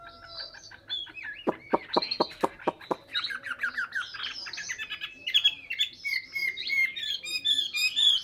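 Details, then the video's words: A Chinese hwamei, recorded in Hà Nội, sings a rich, varied song: a run of five quick, loud, down-slurred whistles, then fast tumbling warbles and high, bright trills. "chim họa mi"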